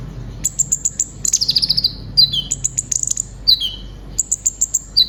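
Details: Brown-throated sunbird, a pet songbird noted for imitating other birds, delivering long shooting song: rapid high-pitched trilled runs separated by short falling whistled notes, repeated about every second.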